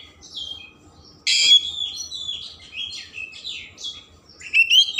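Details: Magpie-robin singing energetically with a rich mimicry fill, used to stir emotion and tail opening: quiet chirps, then a loud harsh burst followed by a rambling stream of warbled, buzzy high notes ending in sharp whistles.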